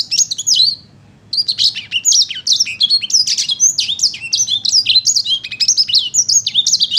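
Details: A sanger paud in energetic song: an opening high, twittering phrase, a short silence, then a long, fast, unbroken flow of sharp whistles, slurs and chips at a steady, busy pace.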